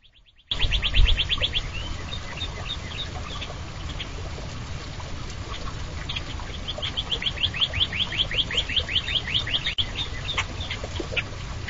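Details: Goldfinches at feeders, recorded 27 March 2010 on a live camera: long runs of rapid, high twittering notes, a quieter stretch mid-way, then another fast chirping series, over a steady low rumble.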